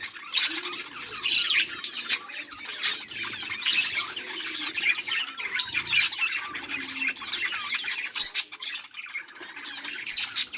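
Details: A group of budgerigars, 18 July 2023, chirps and warbles nonstop in a busy high-pitched chatter, punctuated every couple of seconds by sharp clicking squeaks.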